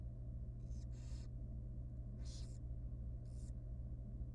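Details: Very young wild barn owl nestling at feeding time in a monitored nest box: four harsh, hissing, breathy bursts, some doubled, over a steady low electrical hum.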